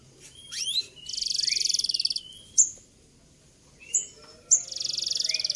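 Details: Canary song used as a master recording to train young canaries to sing: fast downward sweeps, buzzy rapid rolling trills lasting over a second, and sharp high chips, with low background rumble.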